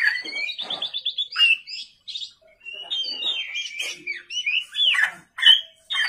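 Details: A vigorous night song from an Oriental magpie-robin: a quick trill-like series, then sweeping whistles and chattering notes in irregular bursts.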